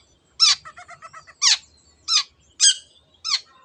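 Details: Long-tailed shrike singing in 'teot teot' style as a lure to make other birds sing: loud rasping squawks about every half second, separated by soft quick chattering notes.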